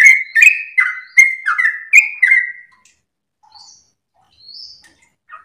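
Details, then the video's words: Trucukan or sooty-headed bulbul, sung for master training: a burst of quick, liquid whistled phrases for under three seconds, then near silence broken by a few faint high notes. "trucukan gacor lagu MERDU ropel nafas panjang"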